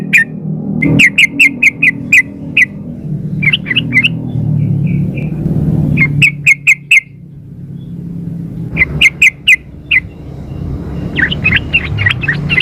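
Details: Female sooty-headed bulbul calling a male, a lure recording: repeated bursts of quick, bright chirps in clusters of four to six, separated by pauses, with steady low rumbling noise in the background.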